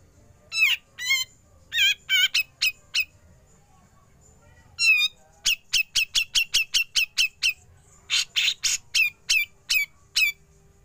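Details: Besetan then ngepik from a grey-cheeked bulbul, recorded for training songbirds: clusters of ringing, quavering notes and sharp clicks, a lone wavering note, a long rapid run of about ten sharp notes, then harsh rasps and more clipped notes.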